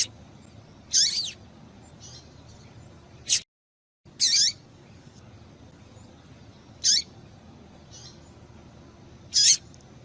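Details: Double-collared seedeater female call, played to excite males so they sing quickly: isolated high, sharply descending notes repeated roughly every two to three seconds, with faint softer notes between them and a short silent break.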